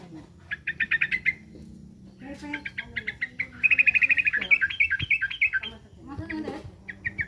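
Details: Sooty-headed bulbul said to be threatened, giving rapid stuttering note series, then a long fast rattle with slurred zigzag notes, plus lower warbled sounds beneath.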